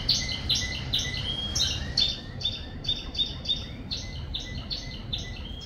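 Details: Canary singing on a rainy day: a fast, bright run of chirps and trills, repeated notes rising and falling, over a steady hiss of rain.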